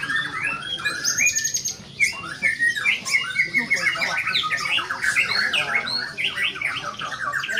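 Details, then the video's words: White-rumped shama in full performance: rich run of whistled notes, harsh chatters and fast trills, phrases rising and falling in quick succession, amid a crowded backdrop of other bird sounds. "MURAI BATU METEOR TAMPIL EDAN"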